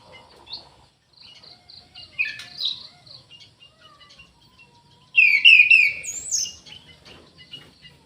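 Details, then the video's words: Faint, broken notes give way to a sudden strong burst of slurred, swooping whistles from an Orange-headed thrush kept in an aviary. "ANIS MERAH GACOR"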